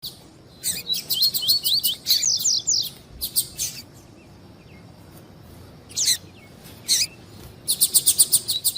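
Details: Double-collared seedeater, tui-tui style warm-up song used by breeders for song tournaments: bursts of quick high, slurred rising whistles in rapid series, mixed with buzzy chattering notes, separated by short pauses.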